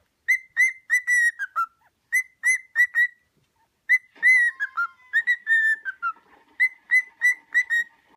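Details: Whistling pet cockatiel renders the melody of "Another One Bites the Dust" in bright repeated notes, fast groups of four to five whistles separated by brief pauses, some phrases ending in lower falling tones.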